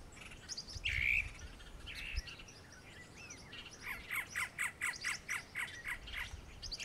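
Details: Great antshrike (Taraba major), a bird of dense low scrub, clearings and forest edges, giving a harsh rasping note and then a steady run of clear mid-pitched notes, about four per second, as other birds chirp faintly.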